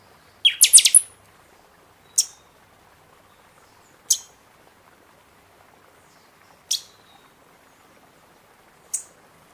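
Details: A buffy-fronted seedeater opens with a dense burst of high, sweeping notes, then gives single sharp high chips roughly every two seconds; song intended to stimulate caged birds after feather moult.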